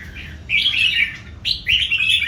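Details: Two quick loud warbled phrases, bright and slurred, from old wild-caught Red-whiskered Bulbuls, three birds singing against each other in a duel.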